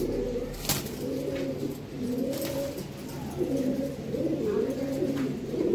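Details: Several Mukhi fancy pigeons coo together in a dense, murmuring chorus of wavering low notes, with occasional sharp clicks.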